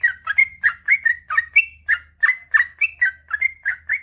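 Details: Sooty-headed bulbul in lively, unbroken song, used as a master recording for sluggish birds: quick gurgling whistled notes, some rising and some dipping, about three per second, clear and close with only a faint low hum behind.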